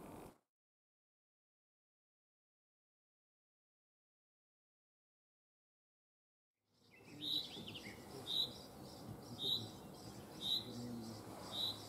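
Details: Common chaffinch in the Netherlands: after a long silent stretch, a single sharp high note is repeated about once a second over a noisy outdoor background.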